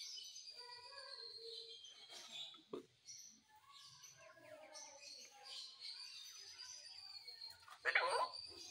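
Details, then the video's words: Talking Indian ringneck parrot producing a run of speech-like mimicked syllables, harmonic and voice-like, with brief pauses and a louder, harsher burst near the end. "Indian Ring Neck Talking Parrot"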